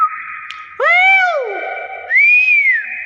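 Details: Common hill myna giving its natural calls: a steady whistled tone breaks into a rich harmonic rising-then-falling call, followed by a second smooth arched whistle.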